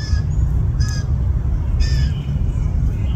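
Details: Fledgling blue jays, at least two, begging in a yard: two or three brief, harsh, buzzy squawks roughly a second apart, set against a steady low-frequency roar.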